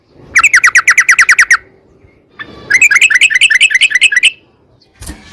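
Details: Yellow-vented bulbul (trucukan) song used as a lure for other bulbuls: a quick trill of even notes, a pause, then a longer bubbling run of repeated notes, ending with a sharp click.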